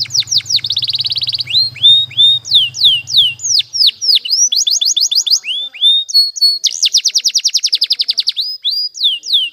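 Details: Canary training song: a buzzy trill at the start over a low rumbling hum, then a series of falling whistled slurs and two bright rapid trills near the middle and end.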